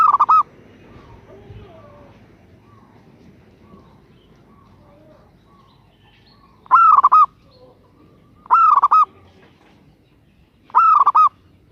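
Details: Female zebra dove calling to a male, repeating short rippling coo phrases at irregular gaps, each a rising note followed by fast trilled beats, with faint softer notes between.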